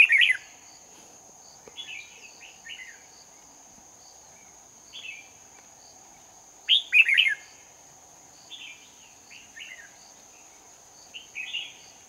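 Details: Red-whiskered bulbul trapping in Hòa Bình on 18 November 2019, with a lure bird singing competitively. Short warbled, slurred phrases come in bursts every few seconds, some loud and some faint, over a steady high insect-like whine.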